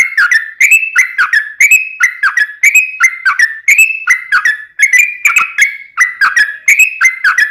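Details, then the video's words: Yellow-vented bulbul in lively, full song in the rapid 'ropel' style: an unbroken chain of rich, gurgling whistled notes that rise and fall, around two to three per second. "SUARA trucukan gacor ROPEL PANJANG"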